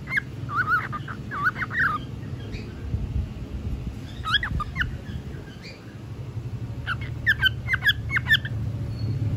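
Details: Bored pet cockatiel chattering: three bursts of quick, squawky whistled notes with harsh edges, separated by short pauses, over constant low humming background noise.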